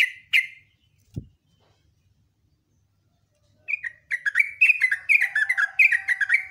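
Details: Sooty-headed bulbul in a lively morning rapid song: after a knock and a quiet pause, bright whistled notes near two kilohertz tumble down in quick descending phrases, about two per second, with a faint low hum beneath.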